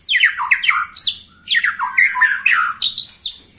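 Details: White-rumped shama aged 21 years singing loud, rapid bursts of downslurred whistles and harsh chattering notes in two energetic phrases, with faint low hum behind.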